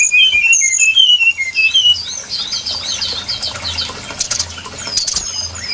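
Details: Brown-chested jungle flycatcher song used as a lure call for trapping birds: high clear whistled notes sliding down in quick short phrases for two seconds, then a scratchy, crackling jumble of fainter notes with background hiss.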